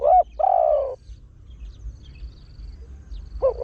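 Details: Spotted Dove, a trained deep-voiced bird whose song lures wild birds. It sings the 'khan yon 1 kuk, khan thi' pattern: a brief hoot, then a long, mellow, falling coo. A pause follows, then another short hoot. Faint high insect-like ticking sounds throughout.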